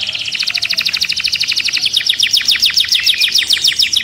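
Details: Canary in a cage, agitated, pours out a very fast, steady rattle-like trill of high notes sustained for the whole passage.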